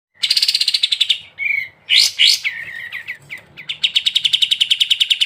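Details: Sooty-headed bulbul (kapas tembak) singing in the energetic ngebren style: a rapid run of repeated high notes, then a few sharp rising and falling slurred whistles, then another fast chattering run.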